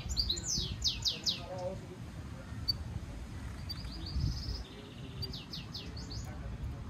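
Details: European goldfinch mule, a hybrid, singing for song training: a rapid series of falling swept whistles, scattered chirps, a short buzzy trill, then more descending whistles, with faint low rumble throughout.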